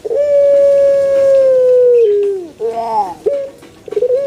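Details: Male Barbary dove cooing: a long, steady, hollow note held about two seconds that sags lower at its end, followed by short rolling, wavering notes and a brief rising coo.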